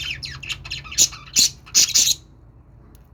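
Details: Budgerigar calls: rapid high chirps and harsh squawky bursts, several loud notes clustered around the middle, then quiet.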